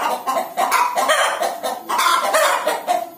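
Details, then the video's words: Hen about to lay an egg gives harsh, raspy clucks in quick uneven bursts. They run almost without pause and sit in a mid-range, slightly nasal register. "Ayam Betina Mau Bertelor"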